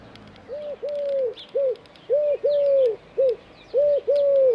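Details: A Eurasian collared dove perched on an antenna in Dzierżoniów, Poland, repeats its low, hollow short-long-short three-note coo about every one and a half seconds, with faint high chirps of other birds behind.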